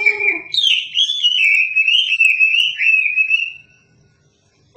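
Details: Chinese hwamei (wambi) in lively song, used as a tutor for shamas: a short low note, then one continuous high warbled whistle that wavers up and down for about three seconds before falling silent.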